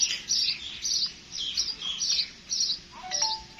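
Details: Sparrow giving a steady run of short, bright chirps, about two per second, in uneven bursts, with a brief lower whistled note near the end.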